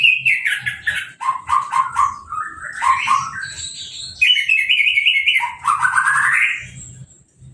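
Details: After moulting and a bath from a hose, a caged orange-headed thrush sings without a cover: rapid stuttered notes, then long warbled runs, ending in a rising, slurred whistle.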